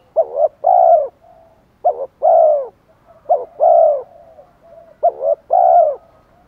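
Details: Spotted dove in 'thổ' style with 'pha thúc đấu' phrasing, a decoy voice meant to draw in wild doves. Four quick phrases of a clipped double note then a drawn-out mellow coo, with low murmured notes in the gaps.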